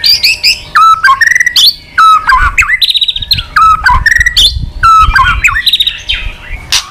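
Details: Aroused white-rumped shama, an old forest-caught bird singing many voices as it wags its tail: loud phrases of ringing whistles mixed with harsh rattling trills, each phrase about a second long and repeated with variation, faint rumble behind.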